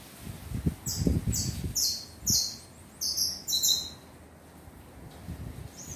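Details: Fledgling tanager uttering short bursts of piercing, high, downward-sliding squeaks in quick groups, with low knocks and rustling beneath.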